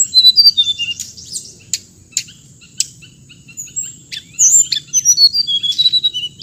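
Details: Singing hồng hạnh bird: a run of high twittering notes, a gap of single sharp clicks, then a dense burst of quick whistles and chirps, over a constant faint high tone.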